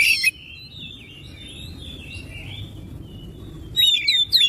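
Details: Oriental magpie-robin song used to stir other magpie-robins to sing: a loud buzzy note opens, followed by a long, quiet, warbling run of thin whistles, then a closing burst of sharp, sweeping, loud notes.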